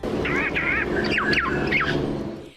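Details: A young Regent honeyeater in southeastern Australia that has lost its native song gives two wavering, churring notes, then three quick downslurred whistles, like a black-faced cuckoo-shrike, with a narrator speaking beneath.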